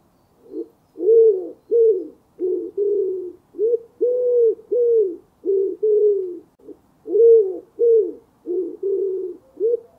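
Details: Common wood pigeon (Columba palumbus), cooing call.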